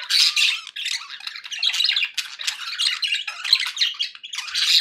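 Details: Cheerful budgies keep up nonstop squeaky chatter, mixing harsh squawks and thin whistled chirps in a steady high-pitched stream indoors.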